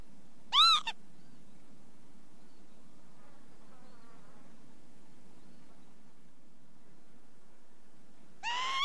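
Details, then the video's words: Lapwing giving a sharp, harmonic, arched call near the start, then a quiet stretch with faint distant chatter before another call begins at the end. "ontspannen kievit geluid"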